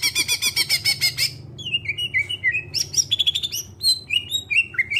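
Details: Greater green leafbird, clear voice, singing to spur other birds to sing; opens with a rapid buzzy rattle, then flowing slurred whistles stepping up and down in pitch, over faint low hum.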